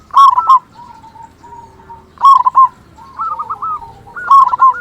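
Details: Local zebra dove with a big voice, used as a lure to make quiet or sluggish zebra doves sing and to raise their arousal: mellow low cooing phrases, a rolling trill then steady notes, repeating about every two seconds.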